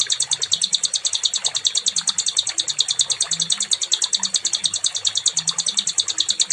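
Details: Nightingale, recorded as a tutor song for teaching other cage songbirds: a long, even trill of sharp, high ticking notes repeated rapidly and without pause throughout.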